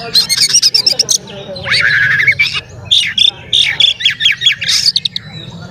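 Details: Oriental magpie-robin, played to make other magpie-robins agitated and open their tails, delivering dense rattling chips, a long rising whistle, and a string of bright, varied whistled notes.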